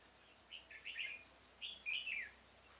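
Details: Red-whiskered bulbul used as a decoy in a pomelo garden trap, recorded 25 October 2017, singing to lure wild birds. Two bright, warbling whistled phrases that rise and fall, about a second apart, over a quiet background.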